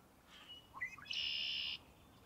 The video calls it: The Song Of Red-Winged Blackbird